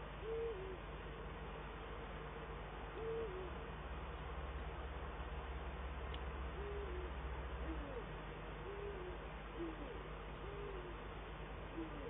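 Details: Eurasian eagle-owl pair duetting in the Eifel on 22 December 2012, the male on the nest and at a branch: deep, short hoots repeated every two to three seconds, some slightly higher and some lower, over a steady low hum.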